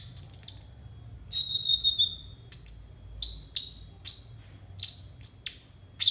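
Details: Konin singing as a masteran track for untrained konin: an opening high trilled phrase, a longer level whistle, then a steady series of sharp downslurred whistles roughly every half second.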